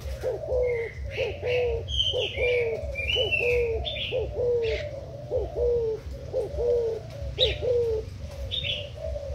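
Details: Decoy spotted dove of Thai stock, recorded 10 April 2018, repeating soft, throaty coos roughly once per second, while another small bird adds thin high chirps above and a low hum runs underneath.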